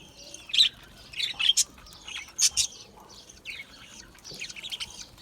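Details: Budgerigars, small Australian parrots, chirping: short, sharp high chirps in scattered bursts of two or three notes, separated by brief quiet gaps.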